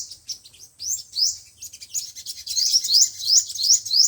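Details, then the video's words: Five-colour and seven-colour sunbird song for trapping by loudspeaker: scattered thin twitters building into a steady series of sharp rising chirps, nearly three per second, at the end. "Tiếng chim hút mật 5 màu và 7 màu"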